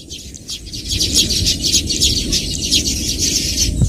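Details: Several Baya weaver birds in a busy, continuous chorus of high, sizzling chatter and quick squeaky notes running throughout, with a low rumbling background noise underneath.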